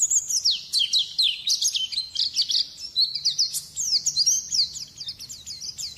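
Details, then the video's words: White-eye song used as a training recording for songbirds: fast, continuous high twitter of sharp descending whistled notes, densely packed, bright and chattering throughout. "Masteran burung pleci"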